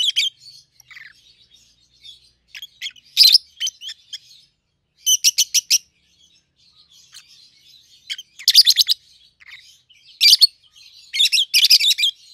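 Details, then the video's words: A captive pair of 7–8-month-old rosy-faced lovebirds, a red-headed green opaline and a red-faced dark green, give shrill high chirps and harsh screeches in short bursts every second or two, with softer twittering chatter between. "Peach-Faced Lovebird's Sounds"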